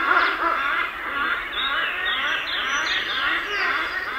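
Hornbills give a dense chorus of overlapping nasal, honking calls, harsh and cackling, rising and falling without pause throughout.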